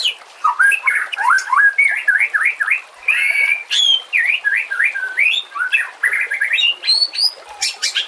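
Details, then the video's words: White-rumped shama singing a training song for other birds: a fast run of loud, rich whistled phrases that swoop up and down, broken by sharp high notes and brief pauses. "Masteran murai"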